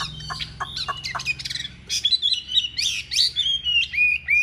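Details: Chinese hwamei singing strongly in a wing-spreading fighting display: scattered sharp chips build into rich, sliding whistled phrases and a clear descending whistle at the end.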